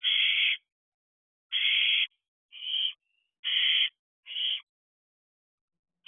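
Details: Young barn owls calling from an owl box on a June night: rasping, hissy screeches of uneven length, five bursts spaced irregularly about one second apart in silence.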